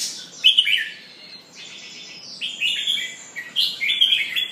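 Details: Red-whiskered bulbul singing while pumping, with a near-continuous run of chirpy, slurred whistled notes that rise and fall in short bursts over a light hiss.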